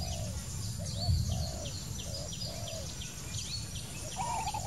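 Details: A wild spotted dove gives low, mellow cooing phrases of short hooting notes and a drawn-out falling coo, repeated several times. High chirping from other birds and a steady low rumble sit behind it.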